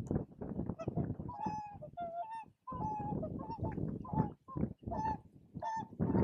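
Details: Whooper swans (Cygnus cygnus) at Spiggie, Shetland, UK, in July 2013, giving loud, bugling, trumpet-like whoops, several birds calling in quick overlapping bursts, with a low rumbling background throughout.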